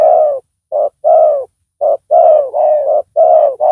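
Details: Loud spotted dove heard in decoy trapping; close, full-toned low coos, short notes alternating with longer rolling ones, delivered in quick succession with little pause.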